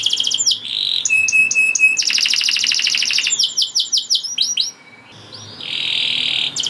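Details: Caged domestic canary singing a vigorous song meant to bring other canaries into breeding mood and get them singing along: rapid trills, buzzy rattles, pure whistled notes and fast descending sweeps, changing phrase every second or so.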